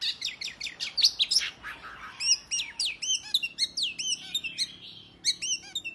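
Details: Oriental magpie-robin in full fighting song that provokes rival males to fan their tails: dense, nonstop run of bright whistles, downslurred notes and fast chirps, very varied and energetic throughout.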